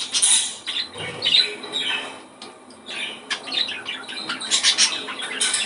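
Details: Budgerigar warble meant to stimulate breeding, a continuous run of quick scratchy chirps and rapid clicking notes rising and falling in loudness without pause.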